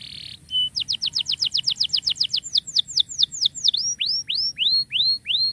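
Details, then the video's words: Lively canary singing in the ngerek style, offered as a tutor recording for canaries that have stopped singing: a fast series of quick rising-falling whistled notes, then slower, longer down-curving whistles, all high and clear. "KENARI GACOR COCOK BUAT MASTERAN KENARI MACET"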